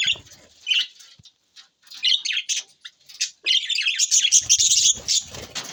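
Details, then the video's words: Budgie parrots recorded June 20, 2024 give scattered chirps, then a long rapid buzzy warble of high twittering notes, with faint rustling in the background. "Budgies Parrot so Bueatiful sounds"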